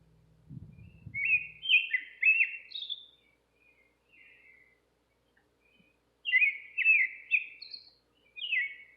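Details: Nightingale song recorded outside a kitchen window, two separate bursts of quick chirpy, downward-slurred notes with a high sweet note on top, separated by several seconds of near silence; a short low thump at the start.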